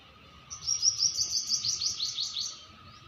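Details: Small bird giving a fast, high, twittering trill of about a dozen sharp, slurred notes lasting two seconds, with a faint steady tone and low hum underneath.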